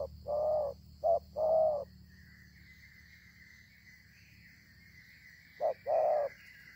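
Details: ['Spotted dove with a fine voice calling in a season when doves are plentiful: two paired phrases of a brief coo then a longer hollow coo, separated by a pause of several seconds. A thin, higher whistle-like tone runs through the pause.']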